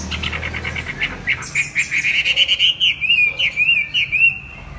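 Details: Chinese hwamei song opening with a quick buzzy trill, then flowing into a string of rhythmic, zigzagging clear whistles that slow and fade at the end.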